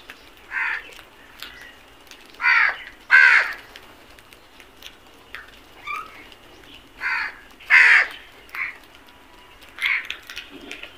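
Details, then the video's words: A flock of crows attacking food keeps up a run of harsh caws, about seven strong ones over eleven seconds with softer calls mixed in. "Flock of crows attack on food beautiful video | Beautiful crows sounds"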